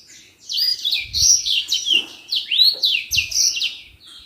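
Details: Common iora, a chattering bird kept for training other birds' song, giving a rapid, dense run of high, sweeping and trilled notes with a few soft low thumps below.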